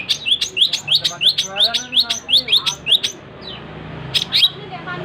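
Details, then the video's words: Rapid chattering 'gacor' song of a cendet (long-tailed shrike): quick bright notes run together for three seconds, a short silence, then two sharp chips. "Suara burung cendet gacor"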